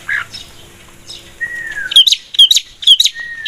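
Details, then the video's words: Vigorous long-tailed shrike song meant as a lure: a long, thin descending whistle, then rapid harsh chattering notes in quick pairs, interspersed with short slurred whistles. "PANCINGAN BURUNG CENDET GACOR 100%"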